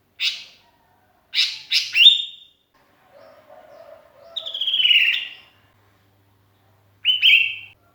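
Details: Sooty-headed bulbul, lonely and calling for companions, recorded as a lure: a few sharp chirps, then longer falling slurred whistles separated by pauses, with one faint lower warble between.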